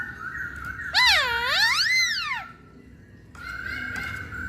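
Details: Masked laughingthrush song used as a lure to provoke other birds into singing: loud, rich, swooping whistles that dip and rise twice, set between steady flat whistled tones, over a low background hum.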